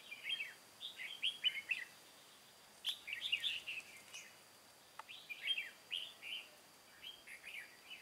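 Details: Decoy red-whiskered bulbul of Cao Phong stock, used in trapping wild birds, recorded 23 August 2018: clusters of quick fluted, slurred notes in three separate bursts, a couple of sharp clicks between them.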